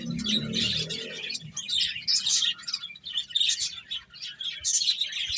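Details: High, twittering chirps from eating finches come in overlapping flurries, with some soft lower sound at the start.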